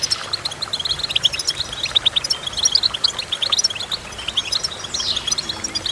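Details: Singing goldfinch, delivering rapid, bright twittering notes in close succession, with brief trills and a short downward-sweeping note near the end over a faint hiss.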